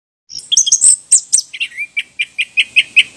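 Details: Orange-headed thrush singing: a burst of high, squeaky chirps, then a steady series of about ten clear, slurred whistled notes, roughly five per second, loud against a quiet background.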